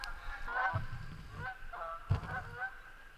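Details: Geese in a wildlife management area give several nasal, reedy honks, spaced irregularly as it gets dark, while a man talks quietly nearby.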